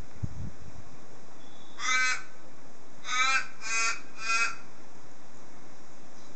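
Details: Crows in a garden, waking people like an alarm clock: four harsh, nasal caws, one single and then three in quick succession, over a steady background hum and hiss.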